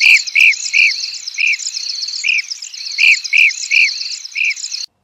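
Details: Blue-cheeked Bee-eater in southern Africa giving short, rolling, mid-pitched notes, about three a second, over a steady high insect-like buzz.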